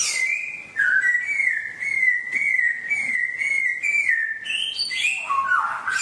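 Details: Long, steady whistled songbird phrase, repeated wavering notes at one pitch with small dips, ending in a burst of higher and lower slurred notes. It is meant as wild song for pet birds to learn.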